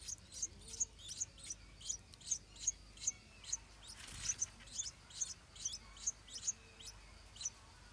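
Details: Stripe-throated bulbul at a nest with hungry hatchlings as the parents defend it; a regular string of piercing, high chirps, about two and a half per second, with a brief rustle partway through.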